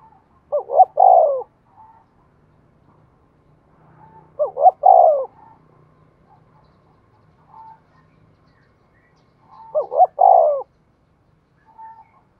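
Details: Decoy spotted dove giving its provoking coo: three widely spaced phrases, each a pair of short hooted notes and a longer descending tone, separated by quiet gaps with faint low background hum.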